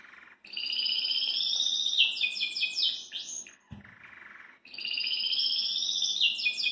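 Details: Caged Belgian canary singing and hopping in its cage: high, bright warbled phrases with fast rolling trills and sweeping notes. The song breaks off for about a second, with a brief low thump, then resumes.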